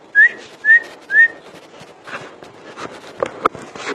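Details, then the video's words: Three loud, clear whistled notes from a common iora, evenly spaced, followed by scattered clicks and knocks in the background. "burung cak ijo full dor"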